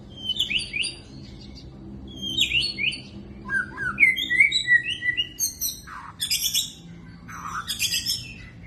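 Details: Magpie-robin, called burung murai, singing a varied song of clear whistled phrases, rising and falling slurs and sharp upward sweeps, delivered in bursts separated by short pauses, over a low steady hum.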